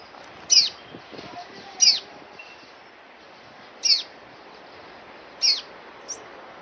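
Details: Orange-breasted sunbird calling: sharp, high descending metallic notes given singly at irregular intervals of one to two seconds, five calls in all, over a quiet background hiss.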